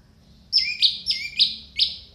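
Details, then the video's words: Orange-headed thrush song used to prompt reluctant birds: five loud, harsh, high notes, each sliding downward, delivered in quick succession over under two seconds. "pancingan anis merah malas bunyi masteran anis pancingan anis macet"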